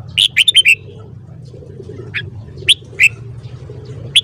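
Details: Morning song of a red-whiskered bulbul: a fast burst of four bright warbled whistles, then scattered single clear notes, with faint low hum behind.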